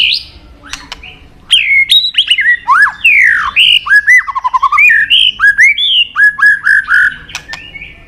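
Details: White-rumped shama, a bird much sought after by bird-song hobbyists, starts quietly, then bursts into clear whistled notes, downward slurs and rapid repeated chips strung into a varied, continuous song.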